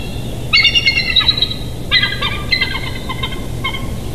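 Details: Wild bald eagle at a nest in Big Bear Valley, picked up by a nature cam on 8 July 2023 at 07:57; two bursts of high, rapid, piping notes with a squeaky, chattering tone over a low background hum.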